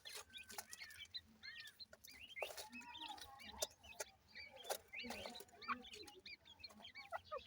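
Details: A brood of ring-necked pheasant chicks calls constantly with dense, thin, high-pitched cheeps, many voices overlapping, and occasional sharp clicks in between.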